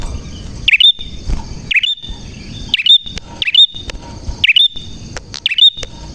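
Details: Prinia singing with a clear tone, sharp rising chip notes with a thin trailing whistle, delivered about once a second in a loose rhythm, against a faint hiss.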